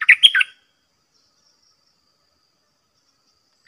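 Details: Caged Red-whiskered bulbul singing against wild birds, snapping out its flowery phrases without pause: one short burst of quick rising and falling whistled notes at the start, then silence, with a brief note at the very end.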